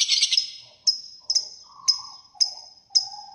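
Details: A fighter lovebird gives a brief burst of chattering trill, followed by five clipped high chirps spaced about half a second apart, with faint lower warbling sounds between them.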